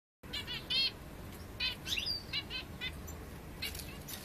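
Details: Egyptian bulbul singing: short bright chirpy phrases, several quick notes bunched together, repeated with brief pauses, over a low steady background hum.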